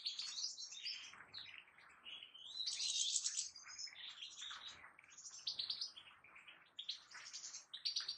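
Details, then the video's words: European goldfinch singing: a rapid, continuous stream of high twittering, tinkling and buzzy notes, varied and liquid, with a brief louder burst around the middle, recorded fairly faintly. "ثلاثة مقاطع لطيور الحسون"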